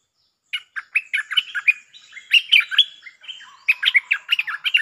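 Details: Bulbul lure song, doubled style, delivered as an unbroken run of lively bubbling chirps and slurred whistles. The notes rise and fall quickly in a continuous, energetic warble.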